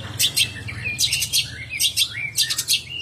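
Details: Banyuwangi long-tailed shrike giving bursts of sharp high chirps about every half second, each mixed with short slurred whistles, over a faint steady low hum.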